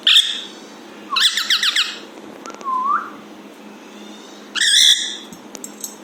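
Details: Pet Alexandrine parrot's funny sounds: two loud, harsh, rapidly warbling squawks, each about a second long, separated by a soft low swooping whistle, all in a quiet room.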